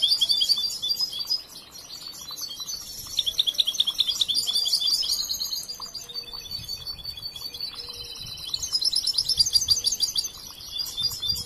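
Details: Young European goldfinch still being trained sings a long, lively stream of high tinkling twitters, buzzy rattles and quick trilled phrases.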